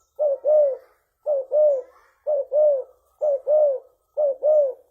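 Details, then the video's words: Lure recording of a spotted dove of the leopard type with a big voice; five evenly spaced double coos, a short note followed by a longer, falling mellow coo, roughly one pair per second. "Tekukur Gacor Suara Besar_Bekur Super Gacor. Paling Ampuh Buat Pancingan."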